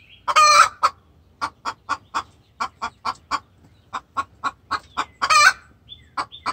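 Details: Very vocal hen calling the rooster in distress, a steady series of sharp clucks roughly three per second, framed by two loud raspy squawks at the start and near the end.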